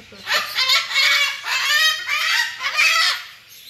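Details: Pet cockatoo taught to speak Tamil, greeting people by asking whether they have eaten; a run of about five loud, raspy, harmonic voiced bursts over three and a half seconds, rising and falling in pitch, with brief gaps between them.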